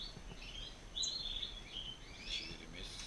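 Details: European goldfinch (Carduelis carduelis) in a setup where a male and female were put together as a pair, singing a fast, tinkling run of high twittering notes and liquid trills, with faint background noise.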